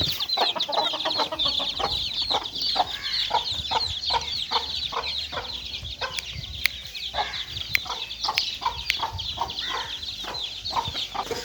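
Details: Many little chicks playing: insistent high peeping throughout, punctuated by fast lower chirps about two to three per second and occasional sharp clicks.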